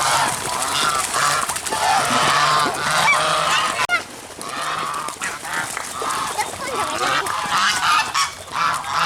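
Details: A crowd of geese, sharing space with black swans, keeps up a dense, rapid honking chorus of harsh nasal calls with almost no pauses.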